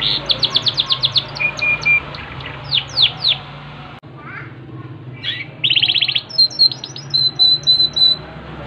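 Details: Yorkshire canary in song, opening with about a dozen rapid descending chirps, pausing, then breaking into dense buzzy trills and strings of bright repeated whistles; faint low hum throughout.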